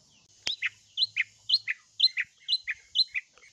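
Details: Paired chirps from a long-tailed shrike, a high note dropping into a lower one, repeated steadily about twice a second after a sharp click at the start; meant to prompt other shrikes to respond.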